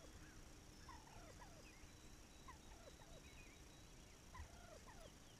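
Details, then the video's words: Wild turkey recorded on May 7, 2021, giving a long run of faint, descending yelping notes, several overlapping and repeated roughly every half second, over a steady low rumble of background noise. "Wild Turkey"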